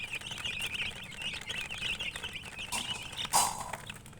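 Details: Baby chicks chirp in a high, wavering chorus, followed by a sharp knock and a short burst of noise near the end.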